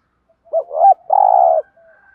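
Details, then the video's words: Single thúc gù phrase from a decoy spotted dove meant to provoke other doves: a short hoot, a rising warbled note, then a long buzzy steady coo. "tiếng chim cu gáy kích bổi"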